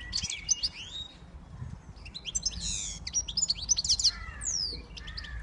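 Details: A siskin x goldfinch hybrid sings varied twittering phrases, with sharp high chirps, buzzy rolls and long descending whistled slurs, over a faint low rumble.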